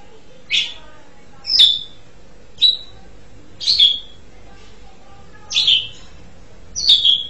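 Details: Asian pied starling repeating short, sharp whistled and slightly harsh notes roughly once a second, some of them doubled, against a quiet background with a faint hum.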